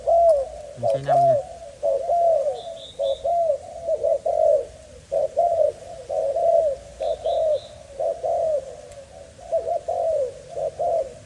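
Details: Male spotted dove from a Malaysian breeding line, kept caged: steady mellow cooing in short-long couplets for over ten seconds, with a brief knock, faint high chirps from other birds, and a low hum.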